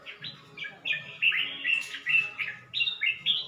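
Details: Caged red-whiskered bulbul at Suan Phueng, Ratchaburi, Thailand, 29 May 2020, newly starting to sing three weeks after changing owners; bright, liquid warbled phrases in quick succession, rising and falling, with short pauses between bursts.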